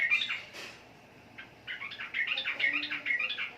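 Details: Sooty-headed bulbul singing short, bubbly warbled notes that break off and then resume as a quick, rolling phrase.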